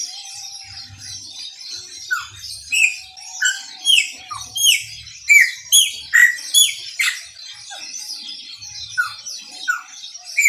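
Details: A long burst of Maranhãozinho song from a chopi blackbird: more than a dozen loud, clear whistles and rising and falling slurs tumbling one after another, tapering off into quieter notes, with faint low thumps in the background.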